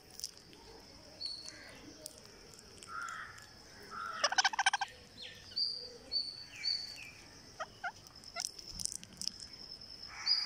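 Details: Green parakeet on day 49 of feeding, calling as it takes food. Scattered high chirps and short whistled notes, a brief rapid stuttering burst midway, and quick clicks later, all over a steady thin whine.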